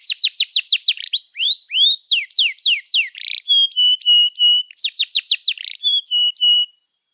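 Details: Canary in long, energetic 'cuit cuit' singing, used to stimulate young canaries learning to sing: rapid runs of high falling sweeps, a few rising slurs, steady whistled notes and a buzzy burst, delivered almost without pause.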